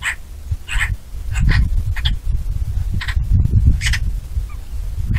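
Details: Eurasian magpie (Pica pica) gives harsh, rasping calls in short broad bursts at an irregular pace, about eight in five seconds, over heavy low wind rumble.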